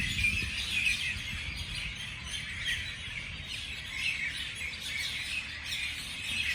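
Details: Morning birdsong from many birds, dense high chirps and short trills overlapping, with soft low background noise.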